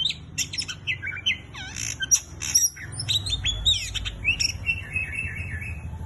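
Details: An Oriental magpie-robin sings in excited bursts: clicking chips, downward slurred whistles and ringing high notes, followed by a warbled, trilling phrase, over a faint low rumble.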